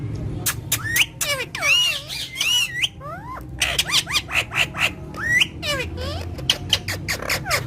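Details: Parrot calling continuously: a fast series of loud squawks, screeches and sharp rising and falling whistled notes, some with harmonic bends, over a low background hum.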